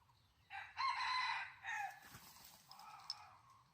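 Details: Crowing of a wild junglefowl drawn in by a decoy hen, recorded in 2020: a loud, strongly harmonic crow in two parts, a long held phrase then a shorter falling tail, followed by a fainter drawn-out note.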